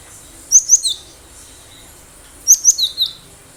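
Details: Wild cinereous tit singing vigorously as a lure for other birds: two matching phrases two seconds apart, each of three or four thin, high, clipped whistles stepping downward.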